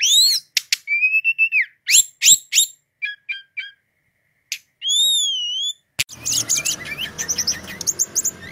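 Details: Nonstop song of a Brown-chested jungle flycatcher in 'gacor' form: buzzy stacked notes, short chip series, a long wavering whistle, then after a click a dense chattering stretch over rising background hiss.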